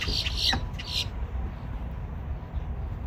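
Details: A grackle at a Walmart makes dial-up-like noises: a quick series of harsh, screechy, electronic squeaks lasting about a second, then silence over a steady low rumble of traffic.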